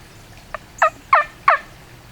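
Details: Wild turkey in late-season Tennessee woods during the last week of spring hunting season, with hens and a jake nearby, gives three loud, raspy notes, each dropping in pitch, about a third of a second apart after a faint clipped note; otherwise quiet.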